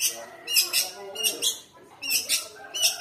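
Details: Caged long-tailed shrike in Indonesia calling as someone passes, harsh, scratchy high bursts in quick pairs, separated by short pauses, with faint lower sounds between.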